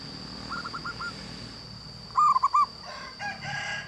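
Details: Local zebra dove with a loud voice: a faint, quick series of coos, then one strong phrase of rounded bubbling notes, followed by softer calls amid hissy background noise and a constant high whine.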